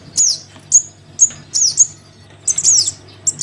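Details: Crimson sunbird chick begging to its parent, used to lure sunbirds down: shrill, very high descending squeaks every half second, ending in a denser cluster of quick twittering notes.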